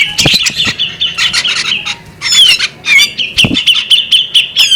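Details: A female bearded magpie robin calls alluringly in choppy bursts of high chirps, rising and falling whistled slurs and raspy notes, separated by short gaps, with a soft knock or two.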